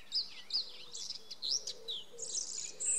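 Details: A blackbird singing at night: varied warbled phrases, mellow swoops broken by high, thin twittering notes, with a faint steady hum underneath.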